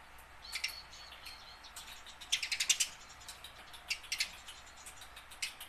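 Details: Tame house sparrow used to encourage wild-caught sparrows to sing, chirping in loose clusters of rough, buzzy notes, with a denser burst midway.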